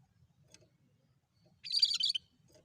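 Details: Cucak kerinci, the cream-striped bulbul, singing lively for luring birds: a single half-second burst of fast, jumbled, high chirping notes amid near silence and a soft low hum.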